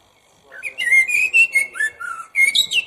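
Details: Common blackbird singing a leisurely phrase of melodious, flute-like whistles with sliding notes, closing with thin, high screechy twitters.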